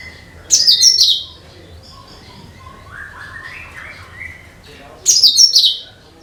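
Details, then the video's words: Cucak kinoi (bulbul) song, used to attract all kinds of birds: two loud bursts of rapid, high twittering about four seconds apart, separated by softer, lower warbled notes. "SUARA CUCAK KINOI BUAT PANCINGAN SEGALA JENIS BURUNG"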